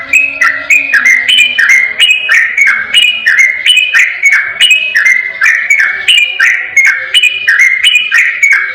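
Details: Yellow-vented bulbul singing ropel style, clear and without pause, to provoke a reply from another bulbul: rapid bubbly phrases of stepped whistles, about three per second, with a soft low drone at the start.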